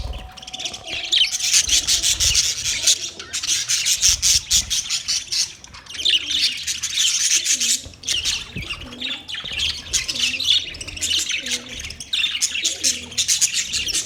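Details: Steady, busy parrot chirping, a dense stream of rapid, raspy high chirps and squeaks that barely pauses, with a brief lull in the middle before the chatter resumes.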